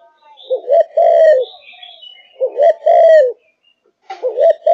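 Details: Caged spotted dove of Malaysian stock singing in top form. Three two-part cooing phrases come about one and a half seconds apart. Each is a short wavering pair of notes, then a longer, slightly falling coo.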